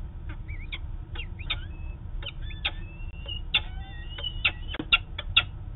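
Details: Female peregrine falcon heading to the roof in Manchester, New Hampshire, on 13 August 2018: sharp chirps and short wailing, rising-falling notes, often slurred or doubled, repeated about once a second over a steady low rumble.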